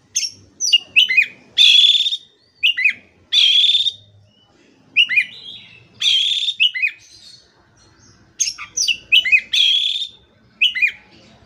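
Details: Oriental magpie-robin in full, vigorous song, used as a training recording to get silent, stressed magpie-robins singing again: loud bursts of sharp whistled and chattering notes, several slurred downward, in phrases separated by short pauses; faint low background hum.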